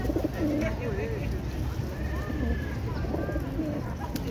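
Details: Several racing pigeons (rock pigeons) in South Africa give low, rolling, throaty coos that overlap and waver in pitch, over a steady low rumble with a few faint higher whistles.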